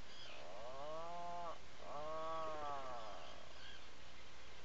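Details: Atlantic puffin in its nesting burrow on Seal Island National Wildlife Refuge, Maine, filmed by a burrow camera on 16 July 2018 around midday; two drawn-out, low moaning groans with rich harmonics, each about 1.5 seconds, faint higher seabird calls behind.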